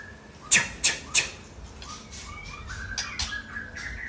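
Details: White-rumped shama known as Murai Aceh, 'sembur isian' singing: three loud sharp clicks open the passage, then softer fluttering whistled notes and rising slurs, with light background noise.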